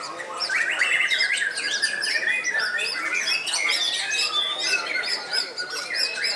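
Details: A 15-year-old caged white-rumped shama, said to be the oldest still actively singing, in a dense run of varied whistles, rapid trills and sharp chirps. The phrases shift pitch quickly and overlap with other chirping.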